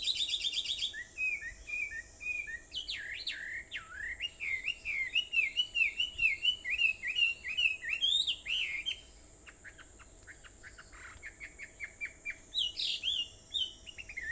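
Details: Early-morning bird song on Aobayama, Sendai, recorded 21 July 2014 at 4:30: long strings of looping, rising-and-falling whistled notes, roughly two per second, then a pause and further scattered notes over a steady faint hiss.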